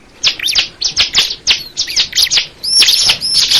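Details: Bar-winged prinia, the crystal ciblek type, singing a run of sharp, high chirps in quick bursts, then a stretch of thin, upward-flicking whistled notes near the end.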